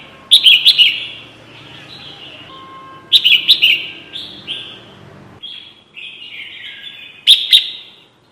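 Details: Red-whiskered bulbul, used as a trapping lure: clusters of sharp, bright chirps with short falling tails, three bursts about three seconds apart, plus softer trailing notes and faint low background hum.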